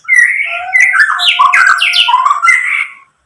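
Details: White-rumped shama song meant to stir other shamas to answer: a short varied phrase of full whistles with slurred, overlapping notes, ending abruptly.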